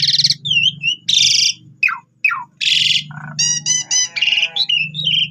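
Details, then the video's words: Jalak suren (Asian pied starling) in loud, full song used as a lure for other birds: harsh buzzy blasts, falling slurred whistles and rapid chattering notes over a steady low hum. "Cukup 3 Menit Saja Jalak Suren Bakal Nyaut Dan Ikut Gacor Dengan Pancingan Jalak Suren Ini"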